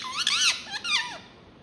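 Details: Indoor pet ringneck parrot voicing two quick arched, speech-like squeaky syllables, the second sliding downward, then falling silent in a small room.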